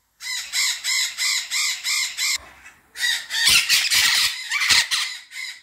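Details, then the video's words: White-fronted amazons, a captive pair filmed mating one morning; a run of six evenly spaced harsh nasal squawks, then a pause and a dense burst of rough screeching calls, loud and close. "White Fronted Amazons Mating (Albifrons)"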